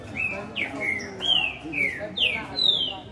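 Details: Song of a Green-winged Saltator: rich whistled phrases, some long and gliding, others sharply slurred, delivered in quick succession.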